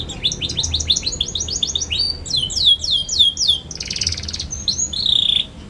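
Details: Young canary in full, vigorous chirping song, serving as a teaching model for juvenile canaries: fast series of down-slurred whistled notes, a buzzy rattle, then a drawn-out warbling trill.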